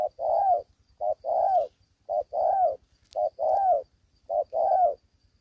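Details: Young caged spotted dove in Vietnam fighting fiercely; repeated short coo then longer, slightly falling coo, about once a second, with a faint click and low hum in the background.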